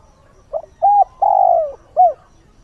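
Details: Spotted dove used as a decoy bird, calling at dawn to stir up wild birds: one phrase of a short soft note, a clear coo, a long, drawn-out, slowly falling coo, then a final short coo.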